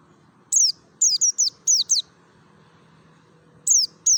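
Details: Merapi mountain white-eye with wild-type notes intended to make kept white-eyes join in: a rapid string of high, thin, downward-slurred whistles, several doubled, then a two-second gap and two more, with low hum underneath.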